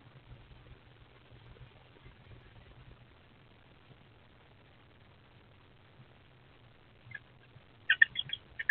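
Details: Two eastern screech owlets in an owl box on 23 April 2024 give a few harsh, raspy hissing bursts near the end, after a long near-silent stretch with a faint low hum.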